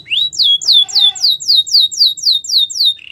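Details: Short phrase from a Belgian canary: clear whistled notes sweeping downward, repeated about four times per second, ending in a brief low roll.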